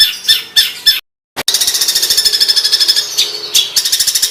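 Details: Harsh, rough songbird fill used as a master recording for training competition birds: grating rattles broken by an abrupt cut, then a fast churring trill with scratchy bursts.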